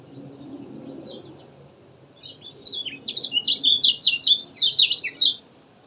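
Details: Lemon-bellied white-eye (kecial kuning) in lively, continuous gacor-style song: after a few faint opening notes, a fast run of high, sharp, twittering chirps, rapidly repeated and slurring up and down, over a low background rumble.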